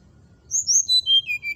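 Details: Brown-chested jungle flycatcher song meant to stir rival birds: a cascade of pure whistled notes falling steadily from very high to lower pitch over about one second.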